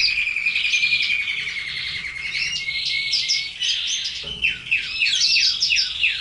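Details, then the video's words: A red Belgian canary sings a long, bright warbling song of rapid trills and chirps, high and continuous, with quick repeated notes toward the end. "Canary sings"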